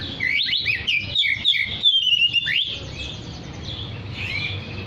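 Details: Oriental magpie-robin in full song to call other magpie-robins, pouring out a rapid string of sweet whistles and chirps that slides downward, then softer scattered notes with faint hiss.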